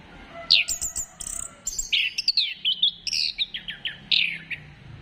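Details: Song of an orange-headed thrush, played to encourage birds to sing: a varied stream of high whistles and descending swoops mixed with sharp ticking notes, rising and falling in quick succession, with a faint low hum beneath.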